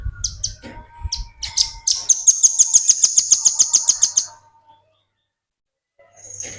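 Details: Velvet-fronted nuthatch, kept as a tutor bird for training other birds, gives a fast rattling trill of high piercing notes, about fifteen in two seconds, preceded by thin chirps, then a pause and another brief note.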